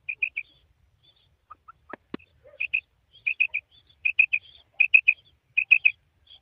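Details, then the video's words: Female quail (madi batair) calling: bright clipped notes in quick groups of three, repeated roughly every three-quarters of a second, with a few softer lower chirps and a clicking knock between. "female quail sound madi batair ki awaz2024"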